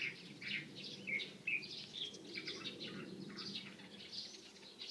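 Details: Light-vented bulbuls (Pycnonotus sinensis), 16 April 2023, give a busy run of bright, chattering chirps and short whistled notes, closely spaced and overlapping, over a low steady background rumble.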